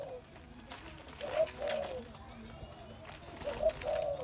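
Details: Spotted dove giving two low, hollow coo phrases, each a brief note followed by a drawn-out purring coo, amid a soft noisy background.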